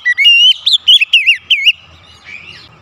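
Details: Captive Oriental magpie-robin singing to stimulate its song gives a quick run of loud, rolling whistled notes that rise and dip, followed by softer trailing chatter.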